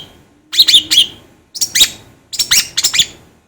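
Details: Long-tailed shrike song used as a tutor recording to get birds singing: three short clusters of harsh, scratchy high notes, separated by brief pauses, over a faint low hum.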